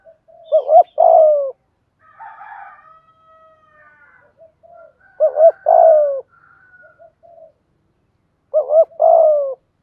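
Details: Spotted dove used as a lure bird to draw wild doves, giving urgent 'thúc gù' coos: repeated three-part phrases, two short rising notes then a long falling coo, with faint background bird calls between phrases.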